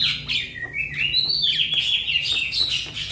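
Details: Javan myna youngster calling its companions with a continuous loud buzzy chatter overlaid by wavering high whistles that rise and fall without a break.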